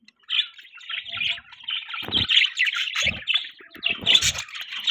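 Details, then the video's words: Budgerigars kept as pets, chirping in the morning: a dense, unbroken run of bright warbling and chattering notes with sharp clicks, plus a few soft low knocks. "Morning Time Budgie Bird Ka Shoor Shrabaa , Budgie Chirping Sound, Budgie Noise"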